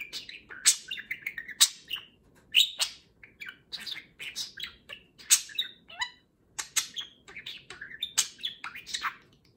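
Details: Pet budgerigar chattering loudly in the morning while being groomed by its affectionate companion; dense, irregular sequence of squeaky chirps, scratchy squawks and warbled syllables with only short pauses.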